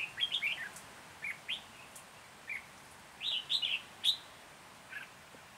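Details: Red-whiskered bulbul trapping near Hoa Binh, Vietnam, on 14 January 2021, a decoy bird singing to lure wild birds: short bright warbled phrases, rising and falling whistles in bursts of three to five notes, with quiet gaps between.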